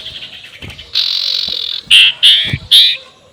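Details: Ngekek call of a spotted owlet, used to provoke rivals: a sustained harsh raspy screech followed by three loud, short, evenly spaced squawking bursts, with faint low knocks underneath.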